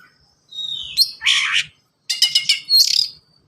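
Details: Oriental magpie-robin (kacer) singing fast, dense song with varied fill-in phrases, used as a lure to prompt young birds to sing; a long rising whistle, harsh buzzy bursts, then rapid clicking notes and a sharp whistled phrase.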